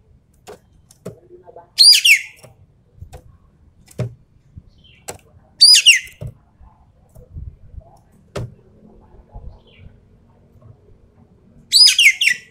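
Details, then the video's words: Javan pied starling giving 'tembakan' shooting song to test the nerve of champion birds: three widely spaced bursts of rasping, descending chatter over scattered low knocks and faint clicking. "BURUNG EKEK KELING SUARA FULL TEMBAKAN COCOK BUAT TEST MENTAL BURUNG JUARA"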